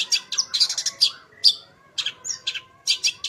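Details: Lively long-tailed shrike song with full mimicked content, used to get other shrikes singing: dense clusters of sharp high chirps broken by short pauses, mixed with brief whistled slurs and thin squeaks.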